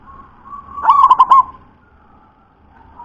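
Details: Local wild-type zebra dove, its voice praised as very thick and deep in the 'ulem' style, gives a single quick phrase of about four rolling, resonant coos, framed by faint, soft tones before and after.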